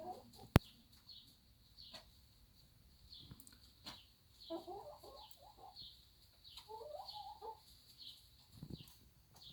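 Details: Backyard hens on a small farm quarrelling over the best laying spot: quiet bursts of rapid, squawky clucking in two clusters mid-clip, over a steady high hiss, with a sharp click near the start and faint low rumbling.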